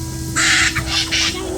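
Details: Laughing kookaburras at a house by Patonga bay, Australia, warning each other as a monitor lizard climbs toward their eggs hidden in trees. Three harsh, broadband squawking bursts in quick succession over a steady low hum.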